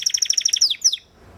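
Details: Timbrado canary singing a quick rattling trill of repeated high chirps, closing with a few sweeping notes before it falls quiet.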